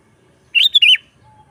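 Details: A sooty-headed bulbul gives a brief lively phrase in 'gacor' song meant for luring wild birds and tutoring pet bulbuls: three warm whistled notes, the middle one higher, ending on a downward slur.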